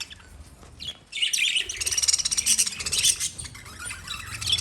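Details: After a second of near quiet, lovebirds break into fast, steady, high-pitched chirping, a rapid stream of sharp tweets that continues to the end.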